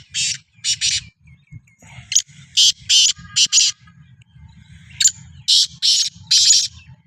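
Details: Black francolin being prepared for chakri: repeated loud, rasping, hissy bursts in groups of two or three, with faint chips between and a low hum with music beneath.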